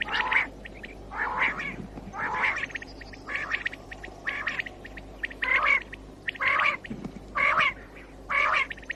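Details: Common quail call from 2019, used to lure birds for morning hunting: rough, buzzy bursts repeated roughly once a second, each with sharp high notes, over faint steady background noise.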